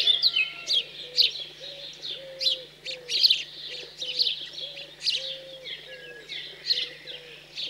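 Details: Fledged house sparrows begging at feeding time, central France countryside, 15 June 2020; continuous high chirps over a dove cooing steadily in low repeated phrases.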